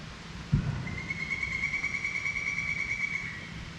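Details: A Pileated Woodpecker (Dryocopus pileatus), heard close by but unseen at a campground, gives a loud, ringing run of rapid, even notes lasting over two seconds, after a dull thump nearby.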